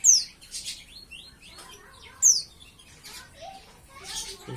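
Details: Young captive white-eye (pleci), about six months old and learning to sing, gives two loud, very high, steeply falling whistles about two seconds apart, with softer twittering and chirping notes around them.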